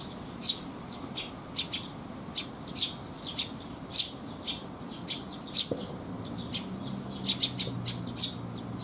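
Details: Sparrows arriving to be fed at a rainy-day resting spot, 19 June 2021; sharp high chirps in irregular bursts, some doubled, with a low hum and rain hiss behind.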